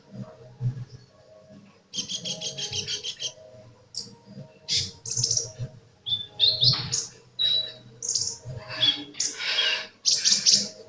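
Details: Sunbird singing vigorously opens with a rapid buzzy trill, then a jumble of sharp high chips, short whistles and scratchy notes in quick succession, with a low hum in the background.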